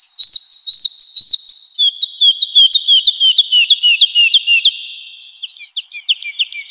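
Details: Spring forest song of a woodlark, a rapid series of bright, slurred high notes tumbling in quick succession, then a lower, fainter twittering close.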